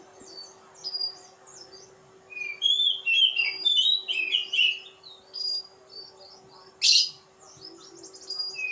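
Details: Oriental magpie-robin singing a varied run of high whistled and chattering phrases, slurred notes rising and falling, with a brief loud harsh burst near the end over a steady low hum.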